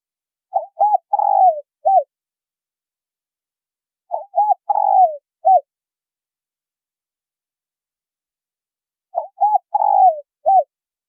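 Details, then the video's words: Spotted doves, male and female, calling to lure wild doves: three four-note cooing phrases about four seconds apart, two short soft coos, a long falling drawn-out coo, then a short final coo, over silence. "Tiếng chim cu gáy trống mái thổ kích bổi"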